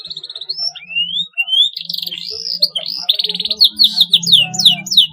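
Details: Canary song to spur young canaries into chatty fighter-style singing: wandering slurred whistles that rise and fall, then a quick pulsed trill and a series of sharp descending chips, with a faint low hum behind.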